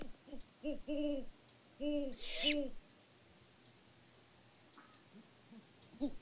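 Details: On a Peabody, Kansas farm in mid-February, a great horned owl pair exchanges hoots. A quick cluster of low hoots is followed by a short higher squeal, then a long quiet stretch with faint distant hooting.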